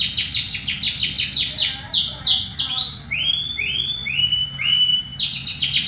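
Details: Canary song used as a lure to draw replies from other canaries: rapid rattling series of steep downward sweeps, then several rising, held whistles and a return to fast sweeping notes, with low background hum.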